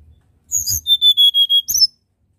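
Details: Tledekan gunung nyuling phrase: a buzzy high opening note followed by six evenly spaced, pure whistles on a single pitch, then a quick twisting flourish to finish, in a quiet setting.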